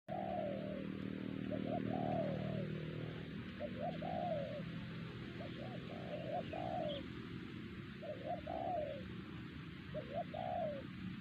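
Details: Wild spotted dove at Siosar, a target lured by trappers with a trained decoy and said to be the most vocal there, giving soft, low hooting coos in short phrases of two to four notes, ending in a longer slurred falling coo, over steady low background rumble.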